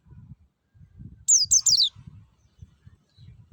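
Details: Forest-type white-eye singing a clean lure phrase, one quick run of three piercing downslurred whistles, set against repeated low thumping and rustling noise.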